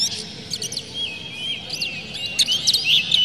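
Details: Oriental magpie-robin song used to goad other magpie-robins into singing: quick sweeping whistles and sharp chips, several per second, over a faint background hum.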